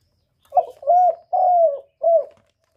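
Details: Spotted dove cooing, a recording used as a lure for trapping birds: four clear low hollow coos, a short note followed by two longer drawn-out ones and a final shorter coo, with a quiet background.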